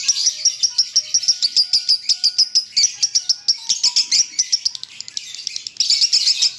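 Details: Lovebird singing in the konslet style known as 'leher patah' (broken neck): a dense, rapid stream of high, shrill chirps and trills that runs almost without a break, with a few brief pauses.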